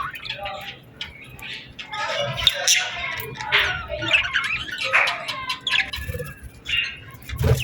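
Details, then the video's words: Birds chirping in the evening at sunset in summer: a busy, mid-pitched chatter of short twittering notes and squeaks, softer and more mixed than elsewhere, with faint low rumbles. "Evening Birds Chirping Sounds Effect | Summer Birds Singing at Sunset"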